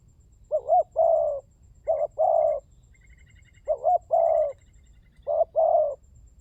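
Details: Lure recording of a spotted dove (tekukur) to get birds calling: four evenly spaced phrases, each a quick double note then a longer rounded coo, over faint high twittering.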